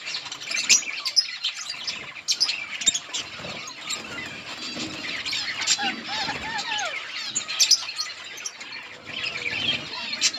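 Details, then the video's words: Budgie colony eating green leaves; continuous twittering and squeaky warbling from several birds, with sliding whistled notes and light rustling throughout. "Budgies parrot eating green leaves budgies birds chirping sounds in budgies colony"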